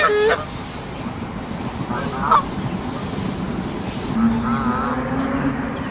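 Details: Adult geese guarding their goslings by a Central Park lake, uneasy about other geese elsewhere on the water; a short sharp honk opens, followed by brief harmonic honks around two seconds and a run of nasal calls near the end over steady traffic-like rumble.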